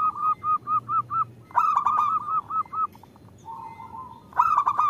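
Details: Zebra dove of the local type, a female calling the male: a steady string of evenly spaced short coos, then a loud rattling trill and a softer flat hum, ending in another stuttered burst.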